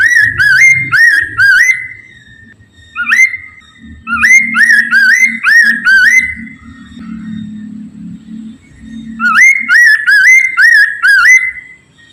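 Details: Chinese hwamei song used to prompt other birds to sing: repeated bursts of rising whistled notes with pauses between, over a steady low hum in the background.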